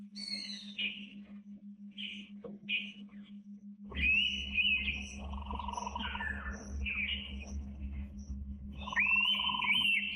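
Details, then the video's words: Wild Indian pitta in a tropical forest, giving clear rising, slightly wavering whistles, one long run then another near the end, with a lower steady tone and a low rumble under the later calls. "The Rare Sound of the Indian Pitta in the Wild"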